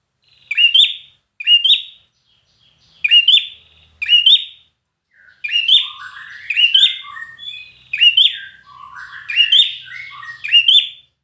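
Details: Competition-singing red-whiskered bulbul: first evenly spaced single chirpy phrases, then a continuous rich stretch of rising whistles interwoven with lower bubbling warbles, intense and unbroken toward the end.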